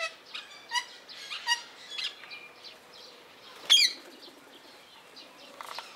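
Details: Captive blue-mutation rose-ringed parakeet at Opole Zoo giving short chattering notes and squeaks, then one sudden loud, harsh screech partway through, followed by quieter chatter.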